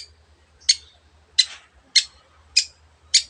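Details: Long-tailed shrike, or cendet, giving short harsh rasping notes, five evenly spaced bursts about every 0.6 seconds, each a brief noisy chack with quiet pauses between.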